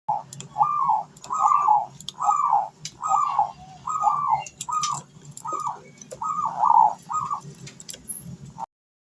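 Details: Spotted dove singing, used as a calling sound to lure other doves into singing; a long series of mellow, hollow coos, about a dozen in nine seconds, with faint ticking clicks and a low background rumble.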